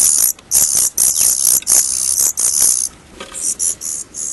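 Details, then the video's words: Young Daurian redstarts leaving the nest for the first time give very high, hissing bursts, roughly two a second, in quick uneven runs with short gaps. "Baby birds (Daurian Redstart) leaving the nest for the first time."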